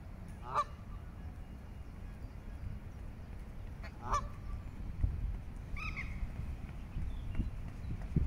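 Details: A greylag goose, with goslings in Regent's Park, London, in June 2024, gives three harsh, nasal honks spaced a few seconds apart over a steady low rumble of wind.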